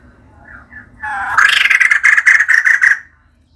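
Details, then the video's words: Female white-crested laughingthrush singing vigorously: quiet nasal notes, then a rising, strained note flowing into a fast, rattling, harsh chatter lasting about two seconds. "Poksay jambul putih betina gacor"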